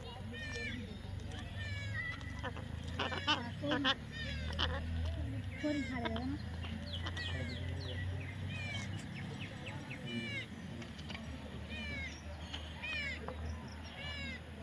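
A young parrot gives repeated squeaky, arched chirps over a low background hum.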